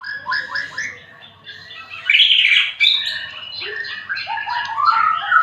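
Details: Magpie-robin, said to stay unstressed though disturbed by small children playing, sings a rich, varied run of whistled, slurred phrases and rapid chirps, some rising and some falling, with a louder bright burst in the middle.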